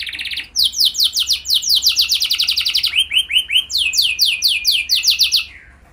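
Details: Canary lure song for setting other canaries singing. A short trill opens into quick series of descending slurred notes, a lower set of arched calls, more falling slurs, then a fading finish.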